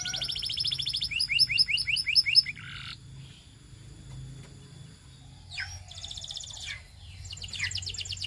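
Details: Belgian canary singing amid other canaries: a bright pulsed trill and a string of repeated downward-slurred notes, a pause, then softer buzzy trills resume near the end.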